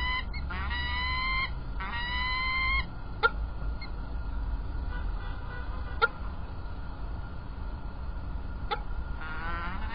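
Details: Peregrine falcons at Illkirch-Graffenstaden, France, recorded 3 February 2018: two drawn-out, harsh, harmonic calls of about one second each, followed by a few sharp clicks and then quiet, over a steady low background hum.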